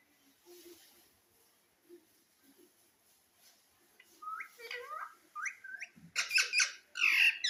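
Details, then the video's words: Pet green parrot starting with faint low murmurs, then chirped notes that rise and dip, building to loud raspy squawks in the last second and a half. "Sweet parrot video"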